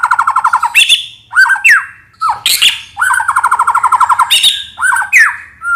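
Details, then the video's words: Lure recording of a white-rumped shama alternating rapid rattling trills with bright, rising whistled swoops and short harsh notes. "Pikat Suara Burung Murai Batu"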